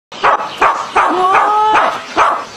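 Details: Parrot imitating a dog's bark: five short harsh bark-like bursts roughly every half second, with a thin whistled tone sliding upward in the middle.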